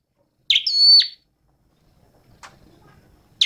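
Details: A single full flowerpecker phrase, a sharp chip running into a steady high whistle that drops off at the end, followed by faint rustling and the start of another note.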